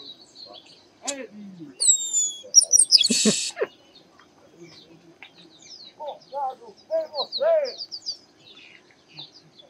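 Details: Garibaldi, the chestnut-capped blackbird also named Baia de Chiqueiro, singing: scattered chips, descending whistles and a harsh buzz, followed by a run of lower, bubbling, arched notes and high twitters.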